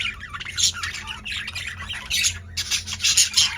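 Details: Active male budgies kept in a cage produce harsh, rasping squawks and scratchy warbling that run almost continuously, over a faint low background hum.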